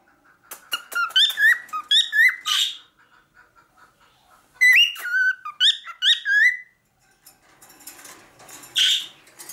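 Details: Male cockatiel singing: bright whistled phrases of rising, sliding notes ending in a harsh buzzy burst, repeated in two bursts about four seconds apart, then softer scratchy chatter and a final harsh note.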